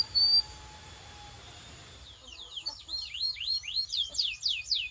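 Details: After a quiet start with a faint steady tone, a canary begins its training song: quick, overlapping down-slurred whistles that grow louder and more rapid.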